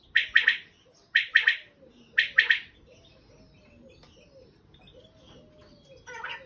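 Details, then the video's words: Wild common quail singing three crisp triplet phrases, each a quick three-note 'pit-pil-pil' spaced about a second apart, followed by a quieter pause and a faint final note. "Дикий перепел/бедона бьет/поет"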